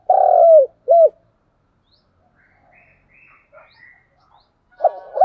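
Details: Spotted dove calling to lure and rouse other doves: a long throbbing coo and a short arched coo open the recording, then near silence with faint distant twitters before another coo begins at the end.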